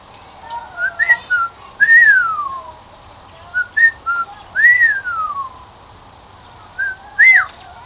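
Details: Cockatiel kept as a pet performing its whistled tune "Song of the Garden": short paired notes, each followed by a loud down-slurred whistle, repeated in three phrases with quiet pauses between them.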